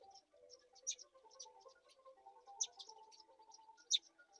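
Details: Begging chicks of the Black-shouldered kite, fed a mouse, give spaced high chirps and three louder shrill squeaks roughly every 1.5 seconds, with a faint low humming background.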